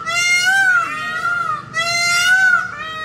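A peacock gives two loud, nasal, wailing calls, each about a second and a half long, rising slightly then sagging. Faint room noise sits underneath.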